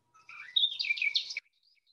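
A Garden Warbler gives a fast, mellow, rambling warble of about a second, steady in mid pitch without high notes. Nothing else stands out.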